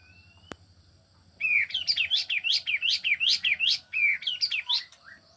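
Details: Caged male grey-backed cisticola in a home aviary delivering one unbroken phrase of about four seconds: rapid, repeated upswept high chirps, evenly spaced, with a faint low hum and a single click before it starts.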